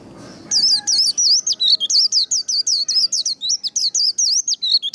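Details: Caged white-eye singing the fast, lively "líu" style of song used to stimulate and train birds to sing. High, bright twittering notes, each swooping up and down, come in a rapid unbroken run of about fifteen phrases after a brief quiet start.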